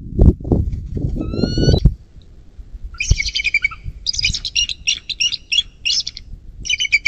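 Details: Bald eagle at a camera-watched nest beside the Little Miami River in southwest Ohio, USA, 11.04.2024 evening. A single high whistled note follows low rumbling noise, then bursts of shrill, squeaky, chittering notes come in quick groups.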